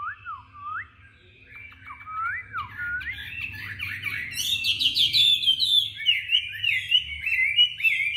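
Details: Competitive singing by a tame Chinese hwamei from Hanoi: opening with lower looping whistles, then building into fast, loud, high slurred phrases repeated in quick succession.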